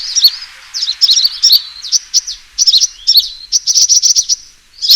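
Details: Trapping-lure recording of a sunbird fighting call: high, sharp chirps in short clusters separated by brief silences, with a fast ticking run near the end.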